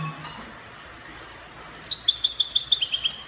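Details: European goldfinch copia song, Spanish style, Morocco: after a quiet stretch with a faint low sound, a rapid trill of bright high repeated notes begins and continues to the end.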